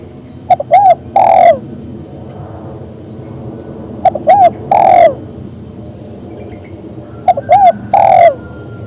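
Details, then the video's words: A spotted dove calls others to join it, repeating a three-part phrase of short note, arched coo and long descending coo roughly every three and a half seconds, three times, with low background rumble. "Suara burung tekukur memangil teman agar ikut bunyi"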